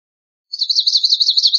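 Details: Swamp sparrow song: after half a second of quiet, a rapid, even, high trill of identical sweet notes runs steadily for about a second, with no other sounds.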